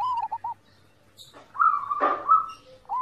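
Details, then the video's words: Master audio of zebra dove song for training birds to sing. Three short soft coos, a pause, then a long trill cut by a harsh rasp, ending with a final coo. "masteran perkutut, perkutut gacor"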